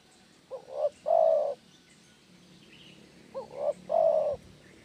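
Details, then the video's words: Spotted dove giving its lure call twice: each phrase has two short rising coos then a long, resonant, steady low coo, phrases about three seconds apart over quiet background. "SUARA PIKAT DERKUKU GACOR...!! AUTO GACORR SIANG MALAM"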